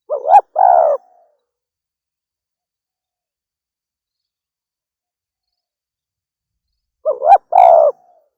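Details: Female spotted dove (derkuku betina) calling: two short bursts of coos roughly seven seconds apart, each a quick rising note followed by a fuller throaty coo, with silence between.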